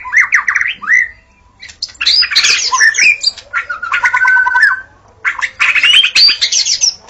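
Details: Dawn song of the white-rumped shama for luring shamas: rapid buzzy trilled phrases, a sustained warbled whistle, and fast chattering bursts broken by short silences.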